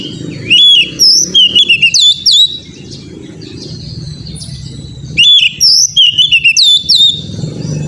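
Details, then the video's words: Oriental magpie-robin song meant to get an untrained young bird singing: rapid varied whistled phrases with upslurred and downslurred notes, in two bursts about five seconds apart, over a low rumbling hum. "TERAPI KACER BAHAN AGAR CEPAT GACOR NGEPLONG‼️COCOK UNTUK BURUNG KACER"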